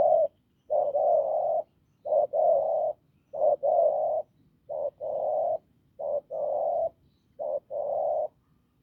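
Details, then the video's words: Spotted dove, wild-caught from the fields, cooing in a hoarse, forceful voice. A brief clipped note precedes each longer sustained hoot, and the paired phrases repeat steadily about every second and a half. "Bổi đồng khàn cứng gù"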